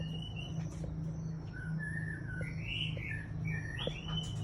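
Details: Breeding-stock white-rumped shama singing: soft clear whistled phrases, some rising and some slurred, spaced through the recording, partly masked by a steady low electrical hum and background noise.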